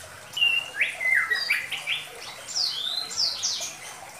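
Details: A Medan-type White-rumped Shama gives lure song meant for young birds: fast run of rich sliding whistles climbing to high squeaky sweeps, over faint background noise.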